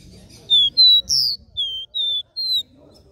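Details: Capped seedeater's three-note regional song, played to stimulate other birds to sing; six clear high whistled notes in quick succession, some sliding upward, one louder buzzier note in the middle, quiet background.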